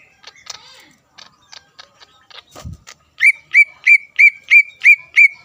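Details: Greater green leafbird sound meant to excite opponent leafbirds: faint scattered chirps and a brief thump, then a steady run of about eight clear, falling whistled notes, roughly three each second.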